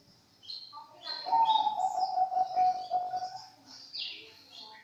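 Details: Zebra dove from Indonesia, a champion breeding bird, singing. A sustained, pulsed cooing trill holds an even pitch for about two seconds. Higher chirps and twitters from other birds sound before and after it.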